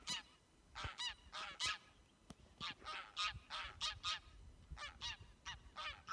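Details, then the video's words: Flock of geese on Værøy, Norway, giving loud nasal honks in quick, uneven bursts, several birds overlapping, about two or three calls each second with short pauses between groups. "Awesome Goose Flock Making Beautiful Noises"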